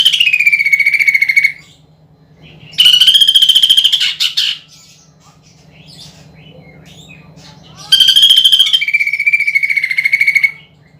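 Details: Greater green leafbird in loud 'gacor' song with 'nembak' shooting phrases and woodpecker-imitation filling, used to prompt contest birds: three rapid buzzy trills, each repeated quickly at one pitch, with pauses between and a faint low hum.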